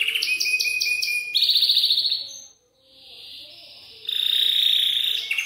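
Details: Belgian canary singing, used to stimulate young canaries to sing: rapid trilled phrases at high pitch, a buzzy rolling trill, a brief pause of near silence, then another long fast trill.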